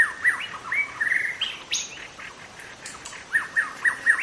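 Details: Young forest-dwelling white-rumped shama, wild, giving clear repeated whistled notes, each slurring downward, in quick series, with a few higher chirps mixed in.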